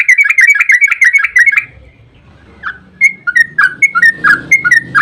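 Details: Yellow-vented bulbul in a long rapid 'ropel' song used as a lure to get other bulbuls to answer. A fast run of bright whistled notes breaks off, then spaced, slurred, falling whistles resume after a short pause.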